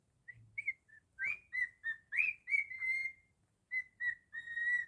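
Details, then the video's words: Cockatiel whistling a learned version of Jingle Bells, with clear mid-pitched notes that slide and rise, strung together in quick phrases with short pauses. "Cockatiel singing beautifully 😍 jingle bells"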